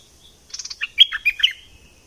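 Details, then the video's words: Bulbul of southern Thailand in the double style delivers a clean, fast phrase of bubbly, chirping notes, about a second long, rising and falling in a lively burst against near silence. "เสียงนกดอกแตงภาคใต้ สายเบิ้ล!!!Burung merbah lekir gacor bahanan"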